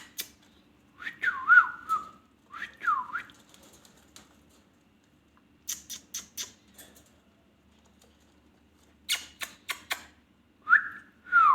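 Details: Ringneck parrot giving short curved whistles that dip and rise, in two groups, then bursts of sharp clicks and a final pair of falling whistled notes, indoors with faint background hum.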